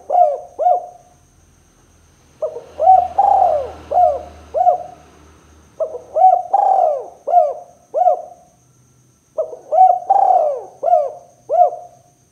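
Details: Spotted dove 'kuk 2' calls used to lure and provoke other doves: repeated overlapping low coos in three bursts over twelve seconds, each burst a run of short rising-falling hoots with a faint low rumble.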